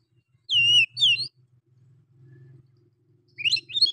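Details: Oriental magpie-robin (kacer) singing a lure song in the harsh 'nembak kasar' style, meant to stir up other males. Two loud, clear, descending whistled slurs come quickly, then a pause over a low hum, then a burst of rising, twittering whistles.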